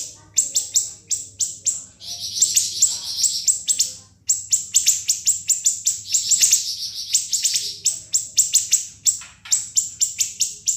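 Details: A siri-siri gives a long, unbroken, piercing song of sharp, very high chirps and trills, rapid notes tumbling over one another almost without pause; this sharp, shrill song is used as tutor song for murai batu, kacer and cucak ijo.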